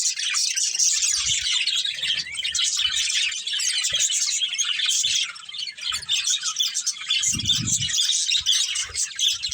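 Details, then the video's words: Nonstop warbling chatter from a budgerigar breeding pair, high and scratchy, with scattered soft low knocks and a short rumble near the end. "Cute Budgies Chirping Sounds"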